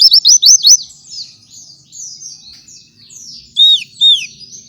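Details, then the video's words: White-eye singing in the morning, used as a master song for training other white-eyes: rapid high rising-falling whistled notes in quick bursts, softer thin warbling phrases between, then two louder swooping downslurred whistles. "Gacoran suara pleci di pagi hari"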